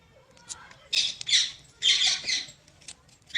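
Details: Short, raspy squawks from a talking parrot come in three main bursts, each under half a second, with faint scratchy noises between them in a quiet setting.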